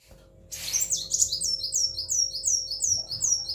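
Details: Kept sunbird (kolibri wulung), described as tail-less, singing a fast run of thin, high chirped notes. The notes start about half a second in and repeat several times a second, with a faint low hum behind them.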